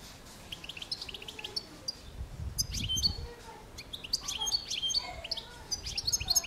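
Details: Carduelis carduelis, the European goldfinch, giving a scattered, tinkling twitter of bright high notes and brief trills, growing busier toward the end over soft low rumbling.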